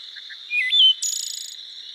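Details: Wood Thrush singing in summertime in Minnesota: soft introductory notes, a clear flute-like whistled phrase, then a rapid, buzzy, ringing trill of the 'ee-oh-lay' song.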